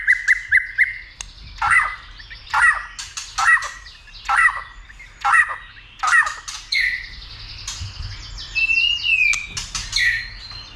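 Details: A White-rumped shama, stimulated to sing heavily and fight, opens with quick whistles, then gives harsh, scratchy notes about once a second, ending in rising whistled phrases.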